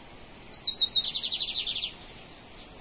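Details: Bigodinho, the lined seedeater of Brazil, one of two males singing in a contest: a short high whistled introduction leading into a steady run of about a dozen quick buzzy trilled notes, then a faint whistle.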